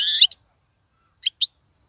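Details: European goldfinch recorded for young birds to learn from: a brief buzzy note followed by a few sharp, high chirps.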